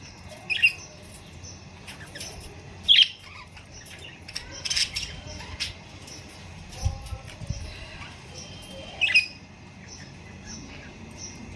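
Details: A flock of budgerigars in a pet store give scattered sharp, squawky chirps against a steady indoor hiss.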